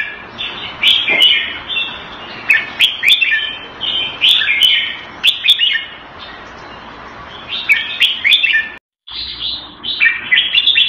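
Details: In Singapore, a caged red-whiskered bulbul kept Thai style, recorded 14 February 2018, sings cheerful slurred whistled phrases, each about a second long, repeated every few seconds over steady background hiss, with sharp clicks and a brief dropout.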